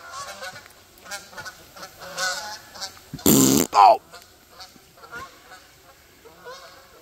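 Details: Geese honking in short nasal bursts, irregular and overlapping, interrupted midway by a loud broadband rushing burst and a sharp clattering noise before the honks resume.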